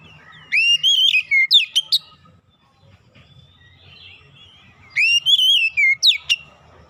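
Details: Oriental magpie-robin lure song meant to make hesitant birds sing at once: the same whistled phrase, rising then falling with sharp chips, given twice about four seconds apart, faint low hum between.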